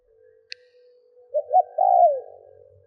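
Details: Decoy spotted dove cooing to provoke wild doves: two short clipped notes, then a long drawn-out coo that slides downward, over a faint steady low hum. A single click comes just before.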